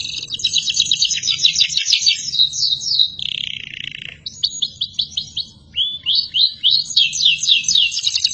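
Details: Energetic canary song used as a tutor recording for other birds and young canaries learning to sing: fast chattering trills, a lower buzzy rolling phrase midway, then bright repeated upward chirps.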